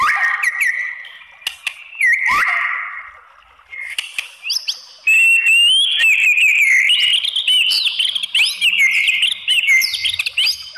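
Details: White-rumped shama song used to provoke rival shamas to respond: opens with scattered whistles and clicks, then a dense, loud run of high twittering and sweeping whistled notes from the middle onward.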